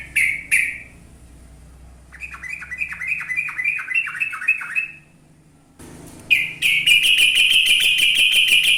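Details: Yellow-vented bulbul in lively song: two loud sharp notes, then a run of quick, even, descending chirps. After a short silence comes a loud, continuous buzzy trill.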